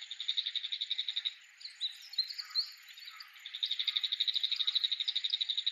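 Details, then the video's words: Bull-headed shrike near an old Japanese castle site, singing in a unique voice as it waves its tail: fast, evenly pulsed high chatter, interrupted midway by scratchy warbled notes, then the rapid pulsing returns. "Bull-Headed Shrike's Unique Singing"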